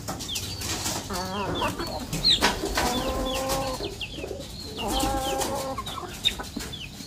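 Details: Chickens being fed in the morning, calling while eating: several drawn-out harmonic clucks and squawks around two and five seconds, with short chirps from other birds, wing flaps and scattered knocks throughout.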